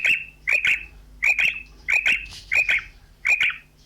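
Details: Female common quail calling: sharp doubled notes, each pair a quick high chip followed by a slightly longer one, repeated about every 0.6 seconds with little else audible.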